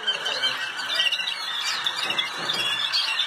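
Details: A Malinois canary (Serinus canaria) singing at the 2019 world championship in the Netherlands, a continuous, bubbling run of trills and rolling notes in a reverberant room.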